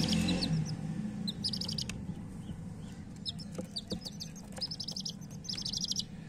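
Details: Coloured hen chicks chirping: short high peeps in quick bursts of several notes, repeated irregularly over a steady low rumble with a few clicks.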